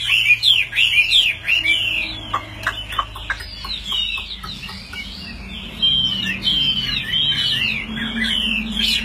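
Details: A hand-carried caged Chinese hwamei, tame and kept as a fighting bird, sings while its cage is shaken. It gives a loud, continuous run of varied, ringing whistled phrases that rise and fall rapidly with sharp slurs.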